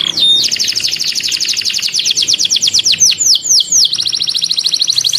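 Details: Lively canary song with long, dense rolls: a sustained rapid high trill of tightly packed notes, breaking into sweeping downward-curved whistles, then resuming as a fast bright roll.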